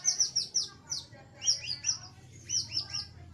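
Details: White-rumped shama singing as a lure for training a silent bird: rapid, high, sharply descending chirped notes in quick bursts with short pauses between phrases, over a low steady hum.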